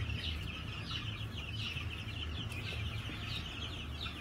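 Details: On a farm, 22 March 2021, New Hampshire chickens produce a steady stream of overlapping high, wavering chirps from many birds, set against a low droning hum.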